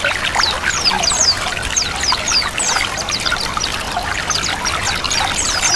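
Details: White-eye "ngiriwik" song combined with flowing water to prompt kept white-eyes to start singing: quick, thin, high downslurred chirps repeated in lively runs over a steady rushing trickle of water.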